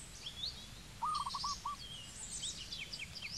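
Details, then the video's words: Low, quick rolling coo from a zebra dove in Cambodia, a short burst of beats followed by one separate note, with high whistles and chirps of other birds around it. "Zebra Dove Bird call"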